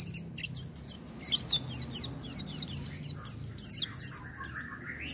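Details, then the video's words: Oriental white-eye song in a chattering "gacor" manner: fast series of piercing high notes, each dropping in pitch, joined near the end by lower, softer warbled phrases. "pleci buka paruh tanpa doping gacor dor"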